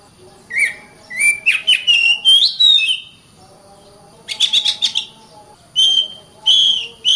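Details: Oriental magpie-robin, called kacer, singing as masteran material: separate bursts of whistled slurs, rising sweeps and rapid chirp trills, broken by pauses, with a faint steady high tone in the background.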